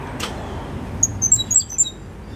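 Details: Cuban grassquit, five months old and bred in 2022, with a loud, clear silva australiano song and a particular trill copied from a tutor. A quick run of very high, thin notes lasts under a second after a soft thud, over low background hum.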